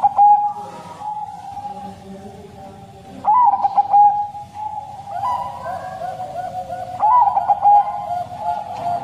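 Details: Bangkok crossing zebra dove whose long, plaintive song serves to lure caged doves into singing. Short bubbling coo phrases come roughly every four seconds, each a quick trill ending in a held note, over a continuous drone.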